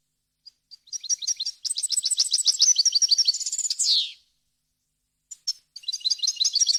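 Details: European goldfinch song meant for teaching young birds to sing: a few isolated call notes, then a long rapid twitter of high tinkling syllables ending in a falling buzzy slur, followed by a new phrase starting.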